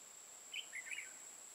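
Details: Red-whiskered bulbul used as a decoy bird for trapping in Hoa Binh, Vietnam; one short, quiet phrase of three warbled notes lasting about half a second, under a steady high-pitched whine and faint background hiss.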